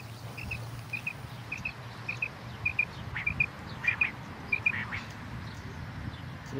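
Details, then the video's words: A common quail sings a long regular run of short whistled double notes, about eight couplets at even spacing, with low rumbling background noise and faint other sounds. "common quail singing"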